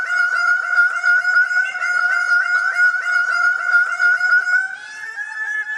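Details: A bird-of-paradise in its dance gives a loud, continuous run of fast, nasal, honking notes, many per second, rich in overtones. The run shifts slightly in tone near the end.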